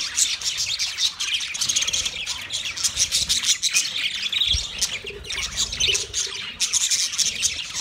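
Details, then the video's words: Chirping of a yellow male budgerigar during mating, a dense, continuous high twittering chatter with scratchy, buzzy notes and no clear gaps, over faint low rumbling. "Yellow Male Budgie chirping sounds , Matting sound"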